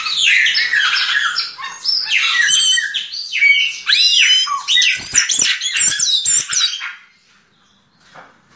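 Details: Sabiá una, the yellow-legged thrush, delivering a diamante negro song: rapid, tumbling high phrases of twittering, rising and falling slurred notes packed together for about seven seconds, then fading to quiet.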